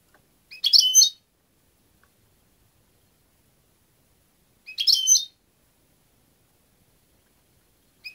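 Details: European goldfinch giving short bursts of bright, complex high chirps, each about half a second long, repeated roughly every four seconds against an otherwise silent background.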